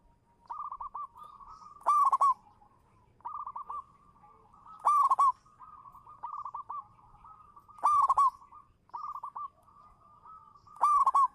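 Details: Local zebra dove performing a lure song: a loud, bright trilled coo returns about every three seconds, each linked by softer purring, rolling notes in a steady, repeating rhythm.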